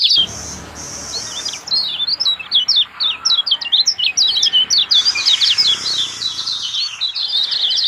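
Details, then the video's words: Lemon-bellied white-eye song meant to get a silent bird singing: rapid high twittering notes over a steady, thin high-pitched hiss that drops out briefly and returns. "SETTINGAN AMPUH PANCING BUKA SUARA KECIAL BISU"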